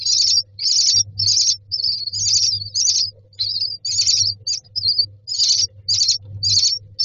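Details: Myna chicks in a nest box beg for food with harsh, hissing rasps, short bursts repeated about twice a second in a steady, insistent chorus, with a faint low hum beneath.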